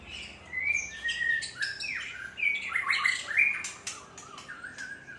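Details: Varied song of a white-rumped shama from Aceh, where the species is becoming rare: rapid runs of sliding whistles, buzzy chirps and sharp high notes in an unbroken stream.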